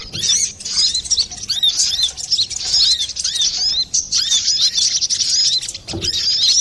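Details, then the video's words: Brown-throated sunbird singing busily, a recording used to lure birds or as therapy for other birds: dense, high, sharp twittering with quick rising and falling chirps, almost continuous for about seven seconds, with a brief low thump near the end. "Pancingan burung Kolibri Klapa ribut,suara jerni"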